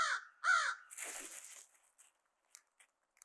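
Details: Two rasping caws from crows mobbing black vultures to win back a food pile on Christmas Day, followed by a noisy flurry of rustling and a few faint clicks.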